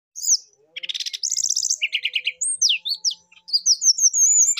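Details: Brown-chested jungle flycatcher singing vigorously, a song described as full of fill-in phrases, used for calling a rival: high sweet whistles, then fast buzzy trills and rapid chipping runs, ending in thin rising whistled notes.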